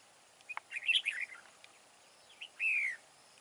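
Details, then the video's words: Wild-voiced red-whiskered bulbul kept as a decoy for trapping rivals gives a rapid tumble of bright chirped notes, then after a pause a strong, drawn-out whistle that slides downward. "Bẫy đấu chào mào BỘ TO HẦU TO GIỌNG RỪNG BAO HAY"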